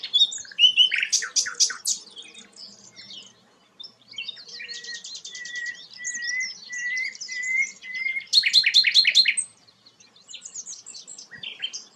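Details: A sikatan londo, said to be a rare bird, sings bursts of sharp high chips, then a run of steady whistled notes under buzzy trills, then another loud rattling burst.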